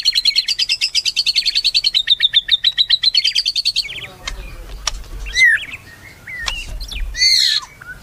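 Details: White-rumped shama: a long fast high chatter for about four seconds, then scattered sharp whistles and slurred notes with quiet gaps and light background noise.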